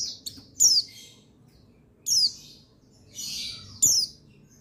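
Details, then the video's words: Buxtoni white-eye (pleci) male, played to make white-eyes sing readily. Sparse, loud, high notes sweep down steeply, about one every second and a half, with a softer buzzy twitter between them. "Buxtoni Menaikan Emosi Burung Pleci Bahan Agar Pleci Bustomi Gacor Cepat Bunyi"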